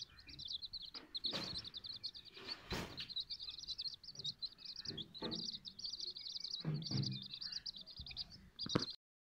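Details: Silkie and Golden Sebright chicks peeping steadily together, a dense stream of high, short, rapid cheeps broken by sharp clicks and bumps of handling noise.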